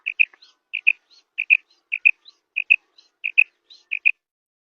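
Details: Calls of a female common quail, used as a lure for hunting quail in ripe wheat. Sharp doubled whistled notes repeat steadily about every two-thirds of a second, with faint thin higher notes between the pairs.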